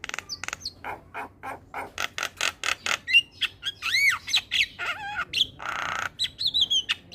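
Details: Javan pied starling singing in the morning, used for young starlings to learn the song: a run of harsh broadband chacks about four per second, then looping whistles, a falling-rising slur and a noisy rasp.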